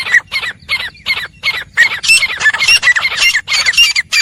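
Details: Four wild grey francolins (jangli teetar) calling: fast, loud, harsh squawking notes, about three a second, becoming denser and overlapping in the second half as birds chorus together.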